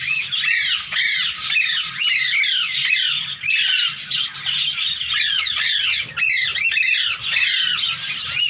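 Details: Hand-tame Indian green ringneck at play chatters nonstop in repeated arched squawks, roughly one sharp note every half second, harsh and bright throughout, over a faint low hum.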